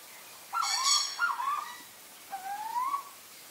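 A female Purple-throated Fruitcrow gives three mellow, rising whistled notes, the first two close together and the third after a pause, with a brief harsh rasp early on.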